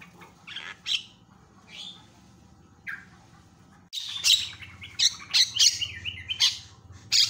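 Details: Javan myna calling loudly and chattering, used to provoke other mynas into calling: scattered harsh, buzzy bursts that become denser, loud squawky notes in quick irregular succession after a quiet start, with low background hum.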